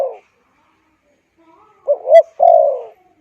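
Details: Spotted dove cooing, a call used for stirring wild birds and training decoys. After a clipped ending note and a pause comes one full phrase: a rapid two-part wavering coo, then a sustained, gently descending coo.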